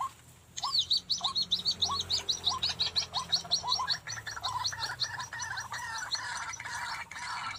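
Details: Afternoon trapping of White-breasted Waterhen (ruak-ruak) with a live decoy beside a house wall; two came and one male was caught. After brief quiet, rhythmic rising calls begin, then merge into a rapid, steady, gurgling chorus.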